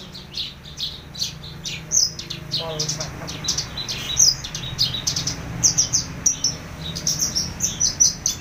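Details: Horsfield's bush lark singing: a rapid series of short, high chirped and slurred notes, bursts of sharp twittering with brief pauses, over a low background hum.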